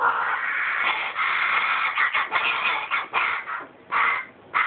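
A carrion crow nestling gives harsh, hoarse, raspy calls in strained bursts of about a second, one after another with brief breaks.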